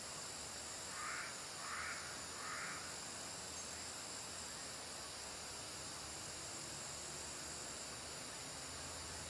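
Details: A juvenile bronzed drongo, fledged about four weeks earlier, on Old Pump House Road, Pahang, Malaysia, 20 March 2011, gives three harsh, rasping notes about a second apart, then falls silent over a steady high insect drone.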